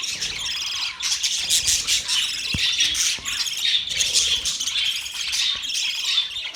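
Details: Chirping birds, October 3, 2023: nonstop bright twitters and warbling chatter from several birds at once, rising and falling in intensity, with a brief lull near the start.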